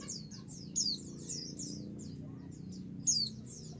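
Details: Female white-eye calling to a male to provoke him into answering: two loud, high, sharply descending chirps about two seconds apart, with a steady scatter of soft, high twittering notes between them.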